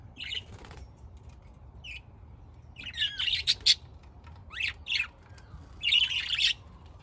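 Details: Budgerigars give harsh scratchy squawks and chirps, including a few sliding notes, in bursts separated by short pauses, loudest near the middle and end, against a quiet low hum.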